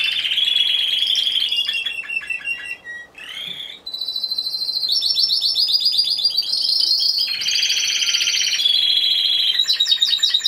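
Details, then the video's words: Timbrado Español canary, one bird entered in a November 2015 singing contest, category C2: continuous metallic rolling trills change texture every second or two, with a brief pause near the third second, then higher buzzing rolls. "Έκθεση Καναρινιών Φωνής Timbrado Español"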